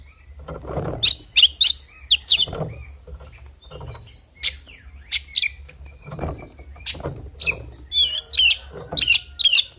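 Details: Oriental magpie-robin giving a fighting song: scattered bursts of high sharp chirps and short whistled notes separated by gaps, with softer low rustling sounds between the phrases.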